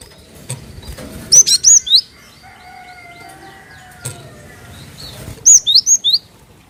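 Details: Java sparrow calls played as a lure to prompt other birds to sing: two short bursts of three to four high, looping chirps separated by a pause, with low thumps, wing-like noise and a faint steady whine in the background.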